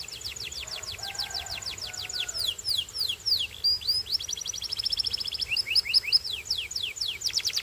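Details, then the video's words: Belgian singing canary producing continuous rolling trills of quick, high descending sweeps, changing speed between phrases, with a faint lower warble early in the passage. "A Special Canary to Seduce All The Canaries - The Belgian Singing Canary"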